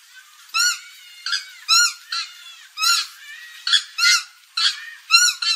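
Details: Purple gallinule calls, used to lure birds for hunting: loud nasal harmonic honks, each about a quarter second, given in an irregular series roughly twice a second. A faint hiss sits underneath.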